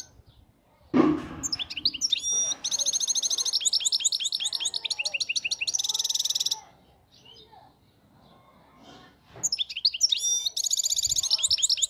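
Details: Flawless song of a wild-caught European goldfinch: after a brief knock, sustained high twittering with rapid repeated notes and dense buzzy trills, a quieter pause, then another bright trilled burst.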